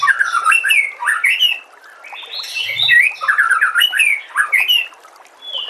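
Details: White-rumped shama song for training caged birds, with bright, quick whistled phrases that swoop up and down, delivered in bursts with a brief pause in the middle and thin high notes overhead.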